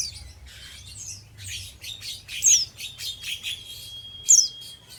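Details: Oriental white-eye, a young untrained bird in the ngeriwik singing style, giving quick high thin chirps and down-slurred tweets in loose bursts, with a steady high pure tone running beneath.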